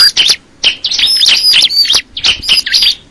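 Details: Bar-winged prinia of the crystal ciblek kind, delivering sharp high twitters and whistled slurs in short bursts separated by brief silences.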